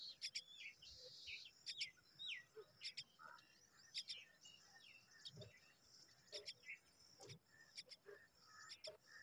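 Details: Common myna chicks, hungry and awaiting their mother, repeat rasping double bursts, mixed with many short high chirps and twittering notes.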